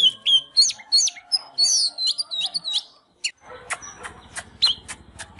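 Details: Oriental magpie-robin, singing and dancing: a string of high whistled and slurred notes, then a sudden gap followed by sharp clicking and tapping sounds with only a few whistles.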